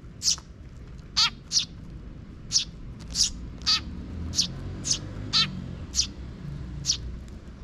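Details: Young sparrow chick and parent in a park in June 2023, the parent scouting before the chick follows; loud high chirps in an uneven series, a few rasping down-slurred notes.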